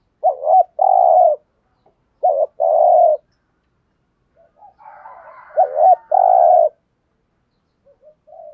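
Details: Decoy spotted dove calling to draw wild doves into cooing back. Three phrases repeat, each a brief wavering note then a longer flat low coo, with quieter murmuring between the second and third.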